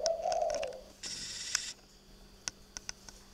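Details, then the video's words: Night-time cooing of a spotted dove kept at a bird garden in Ba Vì, Hanoi, Vietnam: a single low, throaty coo at the start, followed by a stretch of hissing noise and scattered ticks. "chim gay đêm"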